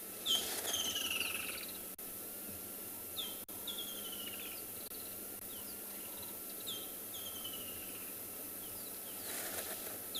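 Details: Woodland kingfishers at a small pan in a South African game reserve on the morning of 3 December 2020 give a sharp high note then a long descending trill, repeated every few seconds, over a steady insect hum and other birds.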